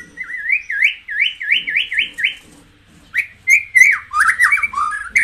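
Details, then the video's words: White-rumped shama song used to stir other shamas into singing: a quick run of six rising whistled notes, then a richer burst of varied whistles and chattering phrases. "tiếng chích chòe lửa hót"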